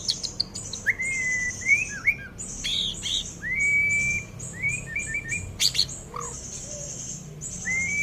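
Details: Six-month-old white-rumped shama, hatched 12 October 2024, still tail-pushing, sings varied whistled notes, slurred rising and falling, with scratchy high buzzes and clicks over a steady noisy background.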